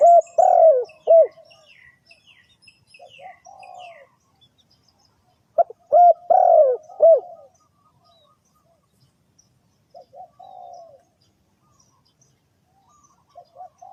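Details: Spotted dove call used to lure birds into a trap: loud, mellow, low cooing phrases of several notes, sounding near the start and again around six and ten seconds, with softer coos between and long quiet gaps.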